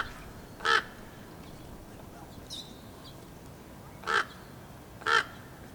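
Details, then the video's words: Female raven calling to her mate with three rough, nasal croaks, two seconds or more apart, plus a faint softer sound between them. "Female raven making different sounds"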